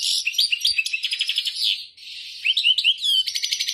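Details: Bright goldfinch song in tolaa notes: quick liquid chirps and buzzy trills, a brief dip, then upslurred twitters, a falling whistle and a final harsh rattling trill.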